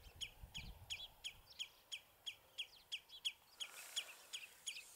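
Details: House sparrows on a bramble branch at Battenoord chirp steadily, about three times a second, with short, bright, slightly buzzy notes and a faint low rumble at the start.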